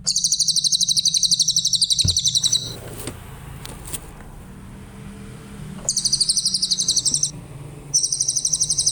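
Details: Grey-headed canary-flycatcher song for teaching other cage birds: a high rapid trill, then a stretch of clattering, rumbling noise, then two further bursts of the same quick, piercing trill.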